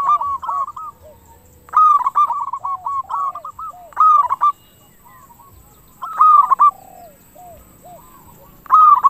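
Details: Local zebra dove singing in the clear 'crystal' style prized for luring other doves to reply; loud phrases of rapid staccato coos roughly every two seconds, answered by fainter cooing from other doves.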